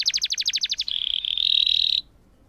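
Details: Canary singing a long roll, used to stimulate silent canaries: about 0.8 seconds of fast repeated high notes near ten per second, then a sustained rapid trill held steady for over a second before stopping abruptly.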